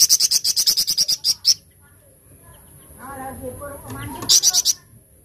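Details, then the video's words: Flamboyan giving 'tembakan cadas' song: a quick run of sharp high notes for about a second and a half, then low human speech, then another short shrill burst. "TEMBAKAN CADAS FLAMBOYAN"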